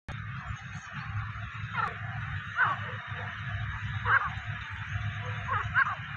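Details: Grey francolin on its nest calling: short, sharp, strident notes given in spaced pairs about every one and a half seconds, against a low rumbling background hum.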